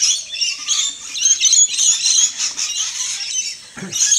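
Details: Many rainbow lorikeets feasting in a tall trumpet tree in a neighbour's garden at dusk, the tree covered in them, give a dense chorus of shrill, screechy chattering, harsh high notes overlapping continuously with no pauses.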